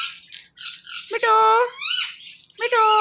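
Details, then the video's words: Indian ringneck parakeet kept as a pet speaking in a hoarse, nasal voice, a short faint murmur followed by two louder drawn-out mimicked words. "Funny Indian Ringneck Talking Parrot"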